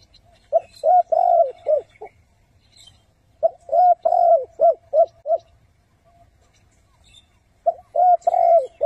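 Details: Caged spotted dove used as a trap lure, giving the thúc and gù cooing style: bursts of four to six quick, rounded coos with a longer note among them, separated by silent pauses of about two seconds.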